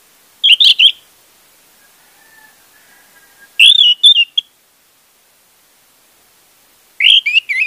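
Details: Lure recording of an orange-headed thrush meant to coax a silent bird into song: three bursts of rich whistled and chattering notes a few seconds apart, with a faint low hum between them.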